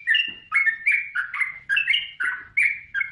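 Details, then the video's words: Short burst of yellow-vented bulbul song: clear, rich bubbling notes in quick pairs, each sliding down, about three per second, with faint rustling underneath. "Suara Burung Trucukan | Gacor"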